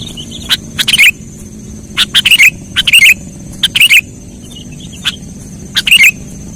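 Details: Sooty-headed bulbul sound for trapping lures: brief warbled chirps repeat irregularly, broken by loud clicking crackles, with a steady high electronic tone underneath.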